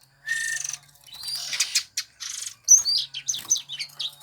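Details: Eurasian tree sparrow sought by songbird hobbyists: a buzzy chirp burst with a short whistle, then a series of quick high twittering notes.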